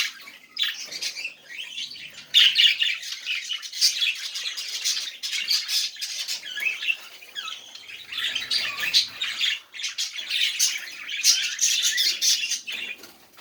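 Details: Budgerigars chattering, aimed at encouraging quiet budgies to sing; buzzy warbles and clicking squawks in waves, a louder burst early on, brief lulls between.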